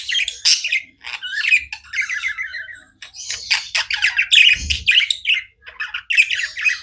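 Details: Pet budgies chirping nonstop, a steady flow of twittering, buzzy warbled phrases and sharp squeaks with tiny gaps, one short low thump midway.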